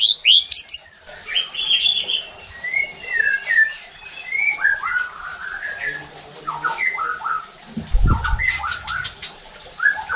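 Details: White-rumped shama song for provoking other shamas: high sharp notes, then a long medley of whistled and slurred phrases, with a brief low thump near the end.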